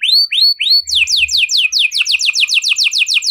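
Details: A canary sings in the 'cengkok mewah' style, used as a lure to start other canaries singing. Three looping whistles come first, then a fast series of sharply falling notes repeated several times per second.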